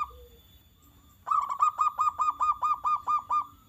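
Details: Zebra dove song meant to prompt other doves to answer: after a quiet start, a fast series of short, clipped, mid-pitched notes with bright overtones, repeated roughly twice per second for over two seconds.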